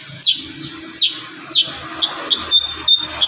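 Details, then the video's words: Kurincang singing energetically with varied fill, used to train young kurincang: clipped high chirps spaced about half a second apart, ending in brief thin whistled notes. "burung kurincang gacor isian"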